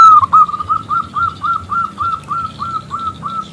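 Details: Local zebra dove with a big, crystal-clear voice, calling to draw a male into singing: a steady run of short, clear cooing notes, about three per second, each with a slight downward dip, over a faint low background hum.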